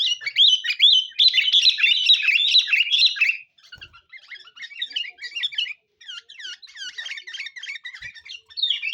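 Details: Sooty-headed bulbul lure song, sung vigorously: a loud run of chattering, warbled notes for about three seconds, then quieter scattered chirps and short phrases with brief gaps.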